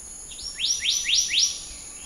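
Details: Four bright, sharply rising whistled notes from a black-naped monarch, given at a brisk regular rhythm against a faint continuous high-pitched hum.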